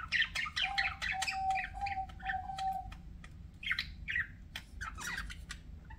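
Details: Budgies give quick chirps and short squeaky warbles, accompanied for a few seconds by a steady, thin whistled tone, with chatter thinning into scattered notes toward the end.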